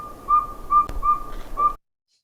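A Northern Saw-whet Owl gives a quick run of clear, whistled toots on a single steady pitch, about two per second, like a truck's reversing beeper.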